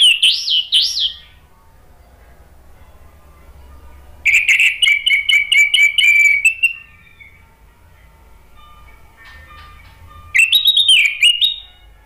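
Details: Male orange-headed thrush singing on the spot as a lure sound for silent birds: three separate bouts of sweet, varied whistling, the middle one a long stuttering chain of short notes, with quiet gaps between.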